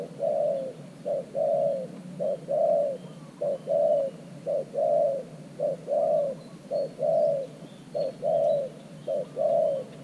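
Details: A decoy spotted dove coos at an earthen trap cage, luring wild doves. Regular low calls, a short note then a longer rounded coo, repeat steadily about every second.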